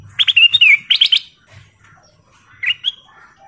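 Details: Sooty-headed bulbul of the golden kutilang type, used as a prompting song to get other birds singing: a quick run of clear, bright whistled notes, then a pause and a short rising whistled phrase.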